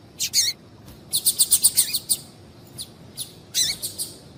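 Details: A female double-collared seedeater calls to stimulate the male. Busy high chirping runs into a rapid series of about seven evenly spaced bright notes, followed by scattered softer calls and a closing cluster of chirps.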